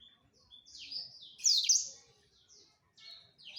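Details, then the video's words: Male black-throated canary courting a female, giving scattered high chirps and a loud slurred burst of twittering in the middle, separated by quiet gaps. "Ocehan Blacstroat Male merayu Burung Female"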